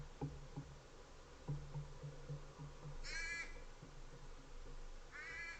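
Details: American crow in Monterey County at a backyard feeder camera, two harsh raspy caws standing out over steady low rumbling background noise and soft knocking sounds.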